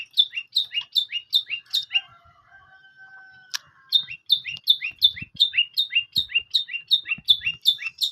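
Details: Long-tailed shrike repeating sharp two-part notes about two or three times a second; a brief pause holds a thin steady tone and a click before the repetitions resume.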